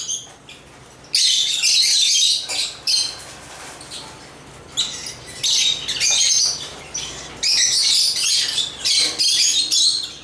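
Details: After a quiet opening second, African lovebirds (Agapornis) launch into choppy, high-pitched chirping bursts, some squawky, recurring irregularly for about ten seconds.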